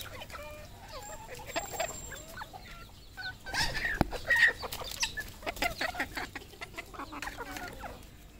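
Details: Several red junglefowl at a Cambodian farm cluck in short, repeated notes, some more tonal and drawn out. A sharp click comes midway, then the clucking grows busier and louder.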